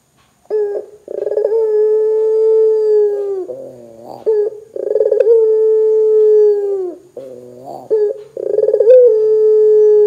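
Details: Barbary dove in full voice, a call meant to get other doves calling. It gives repeated phrases: a quick rolling burr, then a long sustained even coo that drops at the end, with short wavering notes between phrases.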